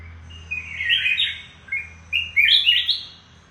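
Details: Red-whiskered bulbul, a mountain decoy bird undergoing moult, giving bright, high warbled phrases in two bursts, each a quick chattering run of rising and falling notes, over a low steady hum.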